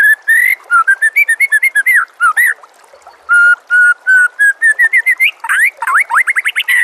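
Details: Rich, varied whistled song of a white-rumped shama, used as a master recording to train other birds, with rapid slurred notes, steady whistled tones after a short pause, and quick rising sweeps at the close.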